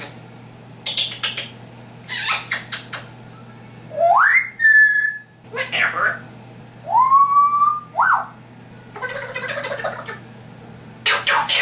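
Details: African grey parrot talking and whistling in a room: short speech-like syllables alternate with rising whistles that level off, a few clipped voice-like bursts, and a final run of raspy word-like sounds.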